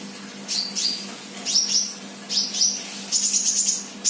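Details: Sunbird, an untrained bird described as singing actively, giving short, very high thin chirps and twitters in separate bursts about once a second, ending in a quick run of rapid notes, over a steady low electrical hum.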